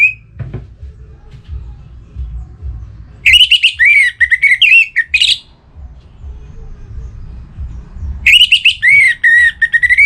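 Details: Orange-headed thrush in breeding condition singing to call a rival: two loud, rich phrases of fast, varied whistles and warbles, some sliding down, with a few seconds of quiet hum between them.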